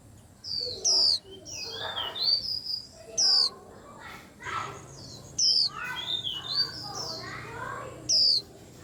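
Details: White-eye in a noisy gathering of birds: piercing high downslurred whistles about every two seconds, set against dense overlapping chirps, warbles and twitters from other birds.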